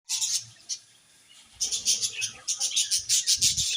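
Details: Happy colony of budgerigars chirping: bursts of dense, high scratchy chatter, a short pause, then rapid overlapping chirps pulsing several times a second.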